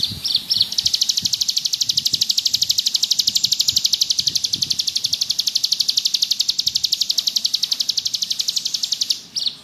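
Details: Bar-winged prinia (ciblek gunung) giving a lively ngebrem song for tutoring. Almost nine seconds of unbroken, very rapid, high buzzy trill with evenly spaced pulses and a few short notes at the start and end.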